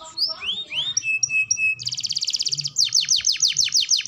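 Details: Canary training song: a few rising whistles and short flat notes, then a dense buzzing trill, followed by a fast series of sharp descending chips.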